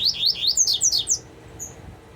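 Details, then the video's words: Fragment of double-collared seedeater song, about eight fast bright slurred notes that jump upward in pitch midway, then a single faint high whistle over quiet background. "Coleiro tuitui COMPRESSOR"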